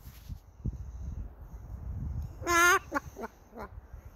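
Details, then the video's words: A Moluccan cockatoo named Snowbird imitates a chicken: one loud, rough, drawn-out squawk, then three short clucking notes, over a low background rumble. "Cockatoo Thinks he is a Chicken"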